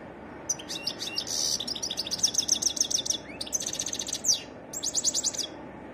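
A European goldfinch sings a fast, tinkling twitter of high notes, broken by brief buzzy trills and short pauses, over a soft steady hiss.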